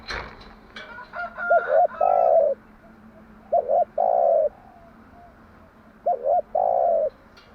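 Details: Spotted dove cooing in the morning as a decoy call for training doves: three phrases of two brief coos and one long hollow coo, evenly spaced, with a faint higher call in the background at the start.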